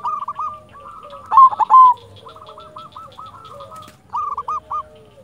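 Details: Zebra dove, a local silver-type perkutut in full song, used as a lure and tutor to rouse quiet doves: rapid bursts of short hooked coo notes at mid pitch, repeated in quick runs, with one louder, harsher burst early on and faint background noise.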